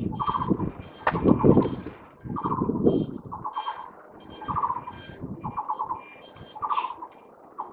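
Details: A Taiwan barbet calling from a cable on 27 July 2023: quick stuttering trills of hollow, evenly spaced notes in brief bursts about once a second, with heavy car noise surging underneath.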